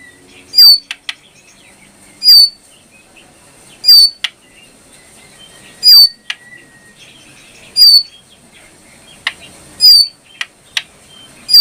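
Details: ['Brown prinia singing a long series of harsh, high whistled notes every 1.5 to 2 seconds, mixed with sharp ticks and soft chatter. It is used as a training recording for cage birds.']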